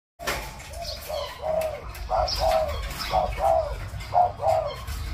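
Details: Spotted dove, a newly paired bird cooing after two days, gives soft, low hollow coos in short paired phrases, about one a second, over a low background rumble.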